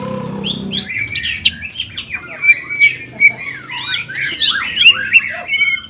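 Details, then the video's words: Greater green leafbird in gacor song, ngobra and jamtrok styles: a dense tangle of twittering, squeaky and whistled phrases after a brief low rumble at the start. "CUCAK IJO GACOR INI NGOBRA DAN JAMTROK SUARA GACORNYA BIKIN CUCAK IJO MANA PUN EMOSI"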